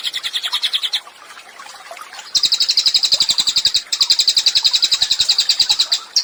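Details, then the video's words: Busy cililin song meant as training material for songbirds: a high chattering trill, a quieter pause of about a second, then two long bursts of fast, evenly spaced sharp notes. "CILILIN GACOR, MASTERAN HANDAL UNTUK BURUNG KICAU"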